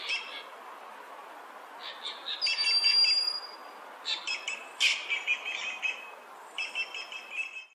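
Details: Calling Inca jay: a mix of clipped nasal notes, a high drawn-out whistle, and several quick series of ringing harmonic notes spread across nearly eight seconds, some louder and harsher than others.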